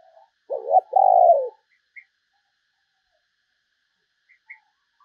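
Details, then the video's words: Spotted dove decoy call for luring other doves: a faint opening note, then a loud low coo phrase, a short broken note and a sustained mellow coo, followed by sparse tiny high chirps. "chim cu gáy kích bổi mới"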